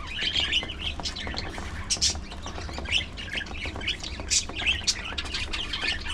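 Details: Budgerigars enjoying a meal make lively high-pitched chatter and sharp squawky chirps throughout, with frequent brief peaks and a faint low background hum.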